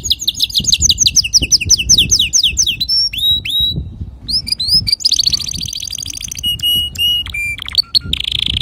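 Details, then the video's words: A male canary's clear song for tutoring young canaries opens with quick falling chirps repeated several times a second, then sweeping whistles, dense high trills and a buzzy roll. "تغريد ذكر كناري صافي لتعليم صغار الكناري"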